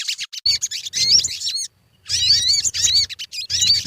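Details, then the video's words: Lure recording of sogon song to prompt birds to sing: two bright bursts of fast, looping high whistles with slurred upward notes, split by a brief silence, over low rumbling thumps. "Suara pancingan burung sogon_pasti cepat gacor"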